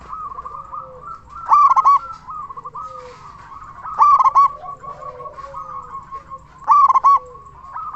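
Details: Local zebra dove with a big, persistent voice, used as a lure to make other zebra doves sing: loud, rhythmic bursts of rolling coos about every 2.5 seconds, over a steady chorus of softer cooing doves.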